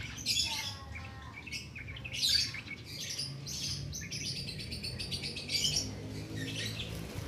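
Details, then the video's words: Active cit keres singing without doping, recorded for training songbirds: trilled and twittering high phrases in several bursts, some with rapid repeated elements, against a quieter low hum. "Cit Keres Nembak Buat Masteran"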